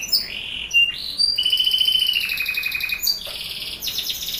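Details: Canary song meant to prompt young canaries into singing: long, clear, high whistled notes held steady and gliding downward, broken by quick chirps and a buzzy trill near the end.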